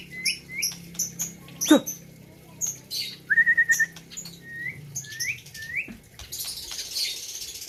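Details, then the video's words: White-rumped shama from Gayo, Aceh, at a 2021 competition, giving scattered short upslurred whistles, a brief trilled phrase and a loud click, with hiss and background chatter later. "ALUNAN MERDU MURAI BATU"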